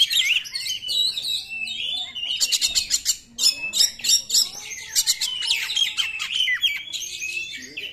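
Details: Oriental magpie-robin singing 'nembak' style as a lure for magpie-robins that won't sing: a rich, unbroken stream of whistles mixed with rapid buzzy trills and chattering.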